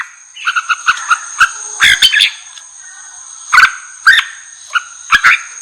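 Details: Red-whiskered bulbul song used to provoke wild bulbuls: short scattered whistled phrases near mid pitch with gaps of quiet, sharp clicks and knocks between, over a constant thin high tone.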